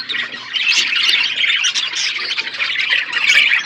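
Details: In an aviary within a forest environment, budgerigars produce a loud, unbroken stream of high chirps and raspy warbling from many birds at once.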